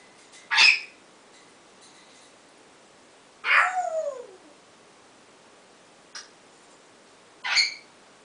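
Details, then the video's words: Pet African grey parrot indoors, practicing its newly favoured "oowww" sound: four loud separate calls, including a harsh burst and a drawn-out falling, harmonic "owww" sliding downward, then a brief click and a final harsh note. "African Grey practicing new owww sound"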